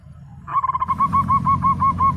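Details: Local zebra dove in active song: after a quiet start, a quick run of soft notes opens into a steady series of round, bubbly coos, about six per second, at an even pitch.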